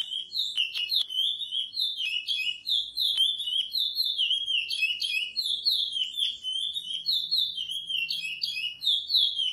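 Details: Curió beach-style song edited for training: steady series of sweet whistled phrases, each dropping in pitch, repeated in a rhythmic loop with faint clicks and a soft low hum.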